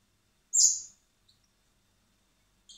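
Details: Hand-fed common blackbird chick at a recovery centre in spring gives one shrill, high squeak that fades quickly, followed by near silence and a faint final note.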